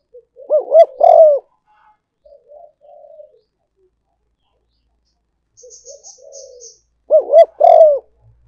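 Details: Spotted dove luring call used as a decoy: the full phrase of two looping notes and a long falling coo, soft murmured coos after it, and the same loud phrase repeating about six seconds later.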